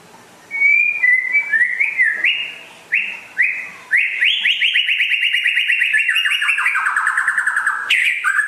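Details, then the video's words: White-rumped shama from West Aceh, described as rare and in full song: a series of short whistled rising notes, then a long fast rattling trill that gradually falls in pitch, ending with a sharp high note. "Kicau Burung Murai Asal Aceh Barat Langka Gacor Jos"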